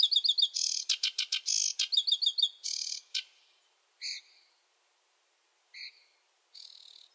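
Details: Sedge warbler, a wetland species, singing: a fast, chattering run of harsh churrs, trills and sharp repeated notes for about three seconds, then a few isolated call notes.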